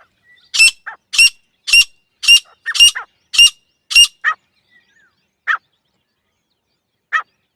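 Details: Female grey francolin calling: a series of seven loud, sharp, high notes about every half second, interleaved with lower short notes, then three scattered lower calls after a pause.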